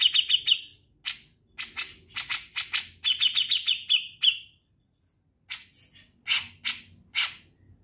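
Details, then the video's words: Grey-cheeked bulbul trilling (ngetril): the clip opens on a quick trill, then harsh chattering notes, a second fast trill of bright notes, a brief silence, and a few more scratchy calls. "Cucak Jenggot Naga Gacor Ngetril"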